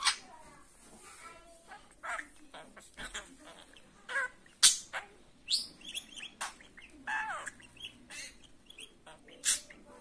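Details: Budgerigar kept as a pet warbling continuously, a rapid jumble of buzzy chirps, clicks and short harmonic squeaks tumbling over one another for ten seconds without pause.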